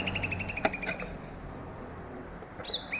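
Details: Cucak rante bulbul, said to be growing rare in the wild forests of Aceh, in a chattery 'rewel' tutor recording for captive birds: a fast train of even, ringing notes, a few sharp clicks, then a brief rising whistled phrase at the end.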